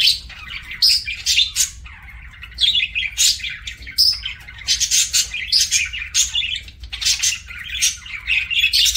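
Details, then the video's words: Parakeet eating and chirping continuously, bright buzzy chirps and squawks tumbling in quick irregular bursts, a faint low hum underneath. "PARAKEET EATING SOUNDS"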